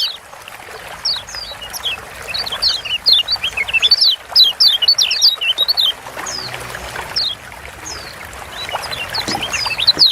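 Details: Kecial kuning, the Lombok white-eye, in gacor singing used to spur quiet birds: quick high whistled slurs and chirps from several birds, coming in loose clusters over a faint hiss.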